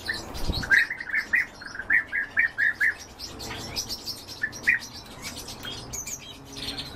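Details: Feeding European bee-eaters: a quick burst of about eight rolling mid-pitched calls in two seconds, then scattered single calls over a hissing, busy background with a brief low thump at the start.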